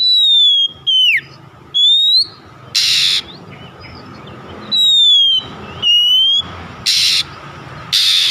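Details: Oriental magpie-robin lure song to set other kacer singing. Pure high whistles, some with downward hooks, alternate with scratchy, noisy rasps, about one phrase per second.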